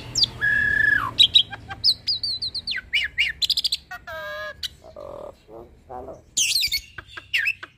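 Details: Hybrid starling in full varied song meant for tutoring pied starlings and other songbirds; a long level whistle opens, followed by sharp chirps, trills, buzzy rattles and low fluty notes, with a harsh squeal near the end.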